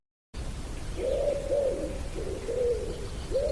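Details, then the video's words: A common wood pigeon by a bridleway beside a West Sussex farm with sheep, cows, fields and hedges gives soft, hooting coos in a steady series of about four phrases, over a low rumble of wind. ">> Yes, there were wood pigeons which are so familiar that we almost stop hearing them."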